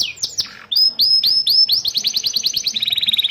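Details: Canary song meant to coach young canaries and stimulate quiet birds; a few downward slurs lead into loud upswept whistles that quicken into a fast descending trill.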